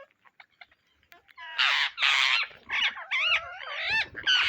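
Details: Indian ringneck parrots searching for seeds: a few soft clicks, then loud, rasping, broadband screeches, followed by quick, bending, harmonic squawks in rapid succession.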